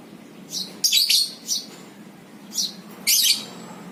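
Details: Lovebird lure recording for ngekek: brief shrill squeaky bursts, four short groups of high chirps spaced by quiet background.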